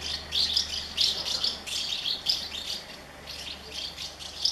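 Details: Hungry House martin chicks begging in a colony of thirty nests while parents feed them; dense high twittering chirps in rapid overlapping bursts, pulsing roughly twice a second throughout, with faint low hum beneath.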